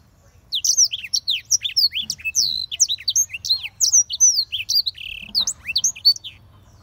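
A black-throated canary sings a fast, continuous run of high, sweet twittering notes and slurred whistles, with a brief buzzy trill near the end.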